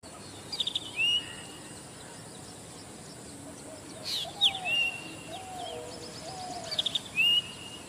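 A Zitting cisticola gives three short high phrases about every three seconds, each a quick burst of sharp ticks ending in a thin rising note, over a steady outdoor hiss.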